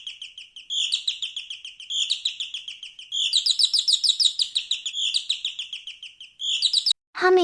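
Canary song: fast, bright trills and rolling chirps in repeated phrases, each about a second long, running continuously; a child's voice cuts in at the end.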